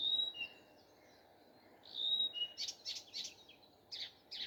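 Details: Common nightingale in morning song, giving sustained whistles that step down in pitch, then rapid harsh repeated notes and a final pair of strong buzzy calls.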